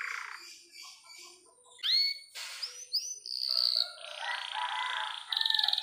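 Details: Canary song meant to stimulate a young canary: scattered upward whistles, a longer high warbled phrase, and a fast trill at the end, with softer lower chirps in the background.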